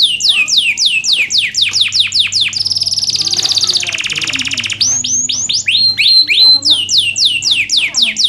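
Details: Canary song meant as a tutor for canaries that sing little: quick repeated falling whistles, a dense buzzy roll, then more fast downslurred notes, with a low hum beneath.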